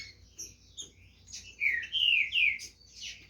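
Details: Green-winged saltator at a song competition in Brazil, giving a series of clear, slurred, whistled notes that dip and rise, with a low steady hum underneath.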